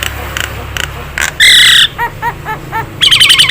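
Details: Nias hill myna song used as a training recording for caged birds, mixing short chirps, a loud sustained whistled note, a run of four rising-falling slurred whistles, then a burst of rapid harsh rattled notes.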